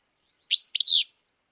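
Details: Willow Flycatcher recorded in Wisconsin gives one sneezy, buzzy two-part phrase, a short burry note then a longer rasping one, high-pitched, against silence.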